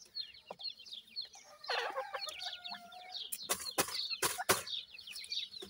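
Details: Francolin chicks giving quick, thin chirps high in pitch, many birds calling at once in rapid succession, broken by several sharp loud clicks and a steady faint tone in the middle.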